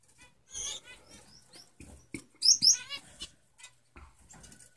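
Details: Male Lady Gouldian finches: short high chirps and thin harmonic notes in scattered bursts, with two bright, sharp high notes near the middle and soft clicks and rustles between phrases.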